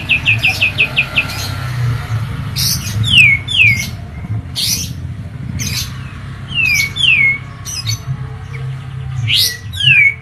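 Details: Medan-type kapas tembak white-eye opening with a quick high trill, then loud downslurred whistles and sharp chips repeated every second or so, with a constant low hum.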